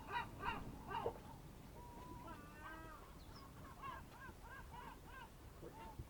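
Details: Early morning at a fishing harbour near Amvrakikos National Park, Greece, at 07:40 in late March: several distant birds give nasal, honking and wavering calls, some in quick repeated series, over low harbour rumble.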